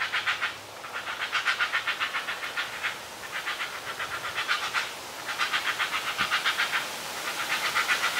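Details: Heron nestlings, two chicks high in a tree nest, begging loudly while being fed: repeated bursts of fast, rasping, clicking chatter, each lasting one to two seconds, separated by brief gaps, noisy and insistent.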